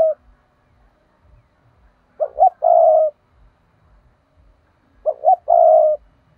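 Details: Decoy spotted dove calling to draw wild birds toward traps: two phrases, each two quick hollow coos followed by a drawn-out purring note, spaced about three seconds apart in quiet surroundings.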